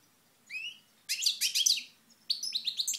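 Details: European goldfinch from Moknine, Tunisia, 2012, singing in sunshine: short rising whistles, then dense bursts of twittering, tinkling notes with gaps between phrases.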